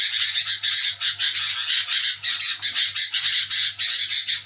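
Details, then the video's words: Sooty-headed bulbul calling noisily at night while people sleep, a harsh chatter locally called nyerecet: dense, raspy, buzzy bursts in quick succession with brief gaps, over a steady low electrical hum. "Di Saat Orang Pada Tidur Burung Kutilang Bunyi Nyerecet ribut di malam Hari"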